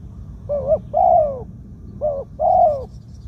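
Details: Medium-voiced spotted dove singing the two-kuk 'khoo-aang' style, kept as a ground decoy bird. Two phrases each pair a brief wavering double note with a drawn-out falling coo, about one second apart. Soft low rumble underneath.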